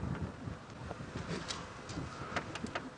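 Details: Gusty wind buffets the microphone, with rumbling and scattered knocks and clicks from a moving vehicle, but no animal calls stand out.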